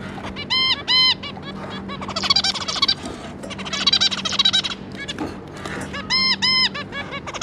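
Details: Zebra finches, a pair with three juvenile young, recorded May 2022: loud nasal, stacked-harmonic beeps in pairs alternate with busy chattering phrases, all over a constant low electrical hum.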